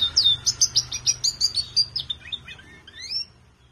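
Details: Colour-bred collection canary singing a steady run of loud chirped notes about four per second, slowing into softer descending notes and a final rising whistle before falling silent.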